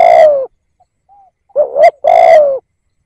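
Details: A decoy spotted dove cooing to draw in wild birds: a long mellow coo, a soft faint note, then a quick double coo followed by another long, steady, slightly falling coo.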